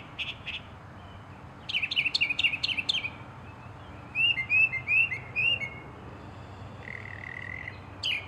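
A northern mockingbird sings varied phrases, each repeated several times: quick chirpy notes, then slurred whistles, then a steady buzzy trill, over soft background hiss.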